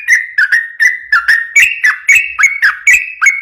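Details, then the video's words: Sooty-headed bulbul in energetic song, used as a lure to train other bulbuls: rapid series of short bubbly whistled notes around one pitch, about three to four per second, with sharp clicky onsets. "trucuk ropel gacor cocok buat pancingan burung trucukan bahan"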